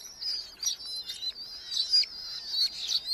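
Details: Young Red-footed falcons in a nest box of a large colony in Hungary, July 2025; a quieter, sustained high wavering squeal with small rising inflections, faint background hiss.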